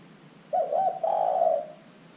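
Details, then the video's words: Spotted dove calling vigorously, played as a lure so other birds answer: one mellow phrase of quick broken coos flowing into a sustained, slightly falling hoot lasting about a second. "pancingan terkukur GACOR"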